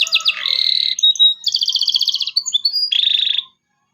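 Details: Energetic local canary, its 'cuit cuit' song used as a lesson for young canaries. Sharp chirps give way to buzzy trills, a bright pulsed rattle, brief whistles and a final harsh trill.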